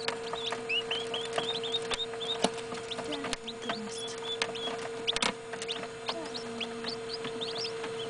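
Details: Brood of day-old northern bobwhite quail chicks hatched indoors, recorded in a dark room around 9pm. Scattered high, short upward-sweeping peeps, sometimes in quick runs, over a constant hum with occasional knocks.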